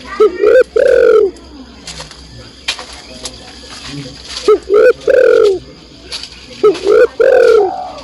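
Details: A female spotted dove calls the male with three repeated coo phrases, each of short and longer hoarse notes, spaced about two seconds apart over quiet background chirping.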